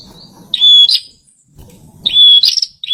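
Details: Bar-winged prinia, a kept bird said to need extra care, singing actively: two loud bursts of high, sharp whistled notes, each starting with a level note and ending in a quick trill, separated by about a second of low rustling.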